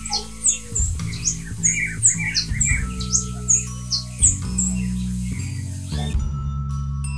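Long-tailed Reed Finch song: high, thin chirps and short slurred whistles repeated in quick phrases, over steady background guitar music.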